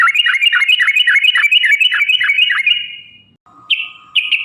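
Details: Sooty-headed bulbul pouring out a rapid string of bubbly downslurred notes for nearly three seconds, a long 'ropel' phrase meant to lure caged birds to sing, followed by a steady flat tone and short chirps.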